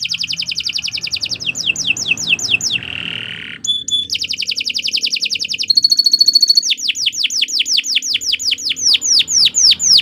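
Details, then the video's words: Canary delivering long, varied song for tutoring songbirds: rapid repeated sweeping notes, a buzzy held section, fast trills, a high ringing repeated phrase, then a long run of quick descending slurred notes. "Kicau Burung Kenari 164 II LUAR BIASA GACOR PANJANG Cocok untuk Masteran"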